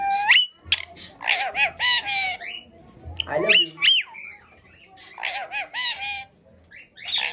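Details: Ring-necked parakeet talking, mimicking human speech. Harsh, nasal, speech-like syllables come in short bursts of several words, with brief pauses between phrases and a few sharp squawky notes.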